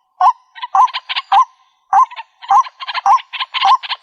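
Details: White-breasted waterhen calls for luring birds in trapping: hooked, upward-bending croaks alternating with harsh, raspy, buzzy bursts in an uneven chattering rhythm, with a short pause near the middle.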